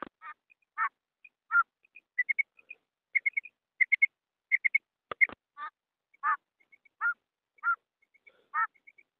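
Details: Calling female quail giving spaced, short nasal notes about every second, mixed with quick clusters of higher whistled pips.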